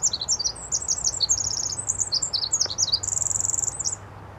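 Pacific Wren song: a rapid, very high, shrill cascade of tinkling notes and fast mechanical trills, with a buzzy even trill near the end over faint low hum.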